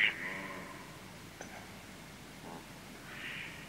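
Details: Male Mallard giving flight calls close up, then moving away: a short nasal, harmonic quack opens, followed by fainter raspy notes and a soft, buzzy call near the end as the bird grows distant.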